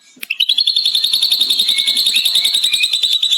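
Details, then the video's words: Ashy drongo singing lovebird-style imitation as a master recording for training other drongos: after a sharp click, a long, rapid, even chatter of high ringing notes, about three to four per second, held steadily at one pitch. "Srigunting Abu Abu Isian Love Bird Ngekek Panjang"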